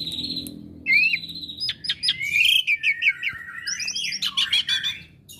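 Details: Asian pied starling kept as a pet and known for imitating other birds, pouring out a chattering run of short whistles, squeaky slurs and fast trilled phrases after a steady whistled tone, with a low hum behind.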